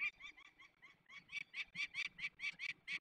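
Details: Peregrine falcon, Barycz Valley, Poland, 27 May 2020, at a release of young birds: a run of harsh repeated notes that starts softly and becomes louder and more forceful toward the end.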